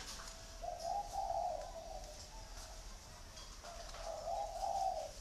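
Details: A captive spotted dove at a bird farm in Ba Vì, Hanoi, Vietnam, cooing in the "thổ" style: two soft, hollow, low cooing phrases about three seconds apart, each with a slight rise and fall, over faint background hiss.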